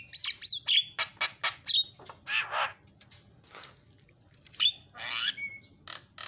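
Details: Javan myna singing isian fill-in notes as training audio for other mynas: rough chattering squawks mixed with brief clear whistles, followed by quieter rasping notes and a flat whistle.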